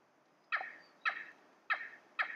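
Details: Cheer pheasant in a quiet forested valley on a cold early morning gives four loud, harsh, ringing calls about half a second apart, each with a quick downward slur.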